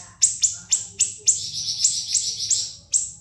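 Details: High-pitched siri-siri song meant for tutoring other caged birds: several sharp descending chips, then a rapid buzzy rolling trill, ending on one more piercing note.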